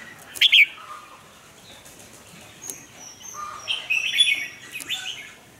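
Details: Red-whiskered bulbul kept as a caged lure bird in Vietnam for voice training: a quick sharp chirped burst opens, then a pause, then a longer warbled phrase of clear slurred notes.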